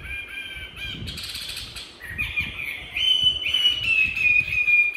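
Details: Tamed caged Chinese hwamei in Hanoi, Vietnam, singing its fighting song: whistled phrases and a harsher buzzy burst, then a long sustained ringing whistle that slowly drops in pitch.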